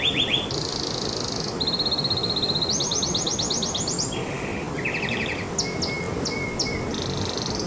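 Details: Excited canary in song: quick high trills change pitch every second or so, followed by a lower rattle and scattered sharp chips, all over a steady background hiss.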